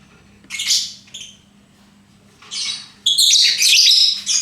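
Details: Lovebird giving harsh, squawking bursts: two short shrill calls, a pause, then a longer run of loud grating chatter.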